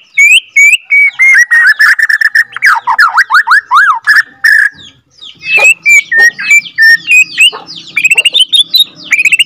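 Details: Long rolling song of a captive-bred F2 Borneo white-rumped shama, meant to stir other shamas into singing. Fast strings of sharp chips and sweeping trills come first, then bright whistled notes, mostly rising, repeated in quick runs with brief pauses.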